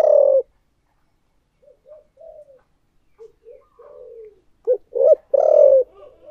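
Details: Spotted dove used as a decoy, thổ voice style: a loud opening coo, a series of soft quiet cooing notes, then a burst of short stressed coos and a long rough coo.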